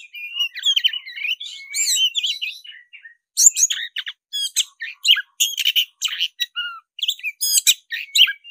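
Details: Fighting-style singing from a black-breasted oriental magpie-robin, fluffed and in top form: varied whistled phrases and mimic-like chirps, then after a brief pause a rapid rattle of sharp clicks and ringing notes.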